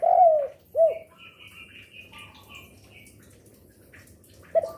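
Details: Spotted dove, a lure bird that coos often through the day, afternoon and night, giving two low, hollow cooing notes at the start and a clipped coo at the end, with faint high chirps of other birds between.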